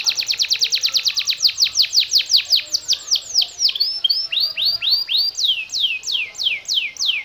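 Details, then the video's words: Yellow canary singing in the rapid rolling style called konslet; a fast train of steeply falling whistled notes, about fifteen in the first three seconds, then slowing and rising in pitch into spaced, sweeping descending notes. "Kenari kuning Konslet"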